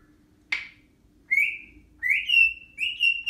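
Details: African grey parrot calling after taking a shower, indoors: a sharp click, then three clear rising whistles, each sliding upward and holding steady, with brief gaps between them.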